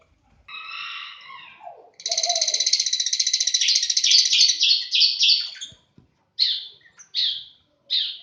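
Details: A lovebird in a breeding aviary in Aceh gives a long, buzzy, rapidly pulsing rasp lasting about four seconds, breaking into separate notes, then short sharp descending chirps spaced about a second apart.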